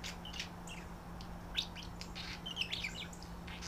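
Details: Pet budgerigars, a visiting hen and a male smitten with her, call back and forth while settled for the night; quick high chirps and short warbles bunch up toward the end, with a steady low hum behind.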